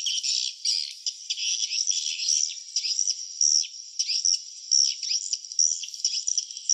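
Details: Swiftlets at the nest: a dense, unbroken chatter of sharp, high-pitched twitters and short buzzy trills, many overlapping and rising and falling in quick bursts, with no low sounds.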